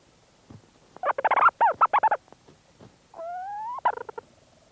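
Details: Leach's storm petrel calling from its burrow, recorded at close range at St Lazar; fast stuttering purr-like bursts, then a drawn-out rising whine ending in another quick chattering burst, with faint movement sounds.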